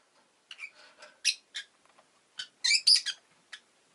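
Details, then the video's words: Pet rosy-faced lovebird giving a quick series of sharp, harsh chirps and short squeaky notes in uneven bursts, with the loudest calls clustered near the end, in an otherwise quiet room. "Lovebird Chirping Sounds"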